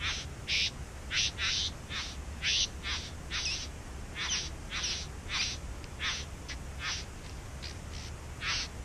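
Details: In a back yard where bowerbirds nest, a fast run of dry, crackling, hissing notes, short and uneven, varying in loudness, continues almost without pause over low background noise.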